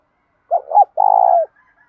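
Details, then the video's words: Single spotted dove phrase, 'thúc dút' style with a field voice touched with 'thổ', used to stir up other doves: two rising hoots, then one sustained, trembling coo that dips at the close. "cu gáy thúc dút cực chuẩn, giọng đồng pha tí thổ, đẹp mã hót cũng hay"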